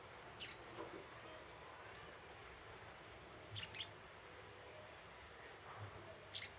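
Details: Brown-throated sunbird lure call: three short, very high, sharp double chirps spread over several seconds against a steady faint background hiss.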